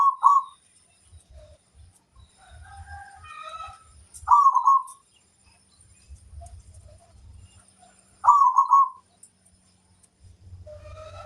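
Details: Local crossbred zebra dove in full song, giving three bubbly trilled coo phrases roughly four seconds apart, with soft background chirping from other small birds and low rumbling noise in the gaps.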